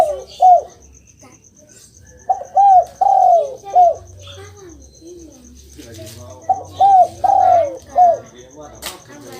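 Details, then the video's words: Spotted dove calls used to prompt a silent pet dove to reply: low hollow coos in short four-note phrases with a long throbbing middle note, mixed with other birds' chirps and a regular high ticking. "Denger suara ini, burung derkuku langsung nyaut"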